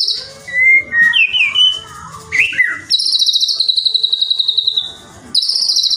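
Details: White-rumped shama song played to make other shamas sing, with other birds' phrases worked in: twisting mid-pitched whistles, then a long, high, buzzy trill that stops and starts again.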